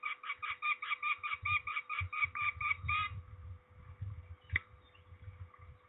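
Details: Peregrine falcon during ringing at Trzebież, Poland, 13 May 2019: a burst of harsh repeated notes for three seconds, then fainter calling under rumbling handling noise and a sharp click.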